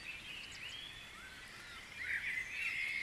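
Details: Dawn chorus of wild birds at Guisborough: several overlapping high chirps and sliding whistles form a steady wash, then sharper, brighter twittering notes grow louder over the final second.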